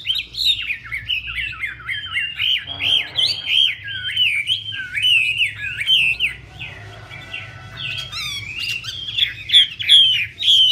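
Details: Chinese hwamei singing as a female dances and fans her feathers to fire up the male: long continuous stream of loud, looping whistles with a brief rough patch midway, then renewed bright phrases; faint low hum throughout.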